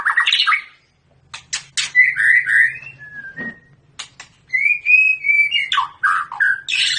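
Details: During breeding pairing, a long-tailed Medan white-rumped shama delivers rich whistled phrases mixed with sharp clicks and short pauses, over a faint low steady hum.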